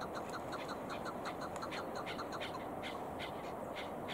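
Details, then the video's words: Repeated staccato chuk notes from chukar on a hunting outing, rapid and slightly uneven, continuing throughout and partly overlapping, under a persistent hiss. "Шикор Охота на Кеклики Keklik sesi avi Шикори Бебарор"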